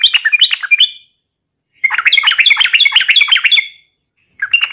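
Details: Yellow-vented bulbul, 'gacor garuda' song played to coax other bulbuls to sing: a short bubbly phrase, a pause, then a longer run of quick liquid warbled notes ending in a whistled trail.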